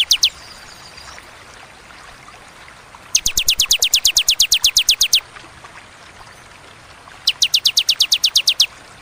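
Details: Bar-winged prinia giving its 'tembakan' bursts in the ciwah and cigun styles, described as sharp, clear and spaced by pauses: rapid strings of very high clicking notes, about eight per second, separated by silent gaps.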